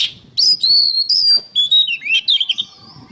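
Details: Oriental magpie-robin in songbird training material, singing one continuous loud phrase of sweet high whistles, downward slurs and a quick twittering flourish, closing with a thin drawn-out note.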